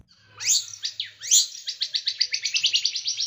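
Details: Small bird song for training other cage birds, noted for sharp, tight, rough bursts; a couple of loud upswept whistles lead into an accelerating series of short high chips that grows steadily faster.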